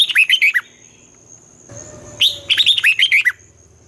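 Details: Morning song of a red-whiskered bulbul, a competitive 'giọng xoắn' song used for training birds. Two fast phrases of clear, bouncing whistled notes with a pause between, over a thin, steady high whine and a low hum.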